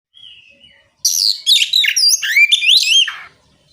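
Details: Oriental magpie-robin singing in the continuous ngeplong style, used to provoke other magpie-robins into answering. A faint high whistle comes first, then a loud, dense two-second run of sweeping, slurred whistles and chattering notes, rising and falling rapidly.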